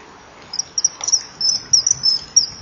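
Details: Common kingfishers at a breeding-wall camera, 24 July 2015 at 19:09, as a female chases off a begging juvenile, with a male nearby before mating. Shrill, high piercing whistles come in quick irregular bursts over faint background hiss.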